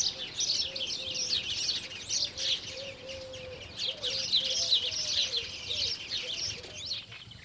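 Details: Spanish sparrows (Passer hispaniolensis hispaniolensis) at Lake Kerkini National Park, Greece, in April 2024: dense overlapping bursts of sharp, high chirps and chatter, pausing briefly mid-clip, over a faint low wavering tone.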